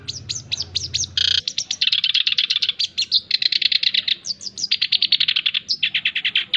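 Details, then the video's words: Energetic male black-browed reed warbler, used for training and luring birds, pours out a continuous high chatter: downslurred whistles, dense scratchy trills and buzzy repeated notes, with a brief noisy burst near the start. "Masteran Dan Pancingan Bunyi Burung Kerak Basi Alis hitam (SINCHAN) Jantan Gacor"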